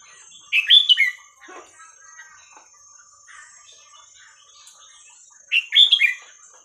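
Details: Caged Red-whiskered bulbul song in the หัวครกเขย่าขวด style, played to teach young birds: two bright, quick warbled phrases of rising and falling notes, about five seconds apart, with soft twittering between and a steady high tone throughout.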